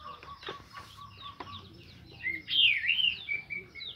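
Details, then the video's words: Morning song of an Orange-headed thrush, played to encourage other thrushes to start singing; faint whistled notes lead into a loud, high, swooping phrase with quick down-up slurs. "Terapi Anis merah Ngeplong di pagi hari untuk memancing Anis macet"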